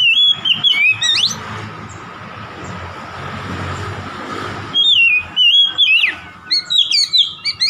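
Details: Oriental magpie-robin singing to provoke a rival: loud whistled phrases of rising and falling notes in rapid bursts, a pause of about three seconds with low background rumble, then quick, varied whistles and slurs resume.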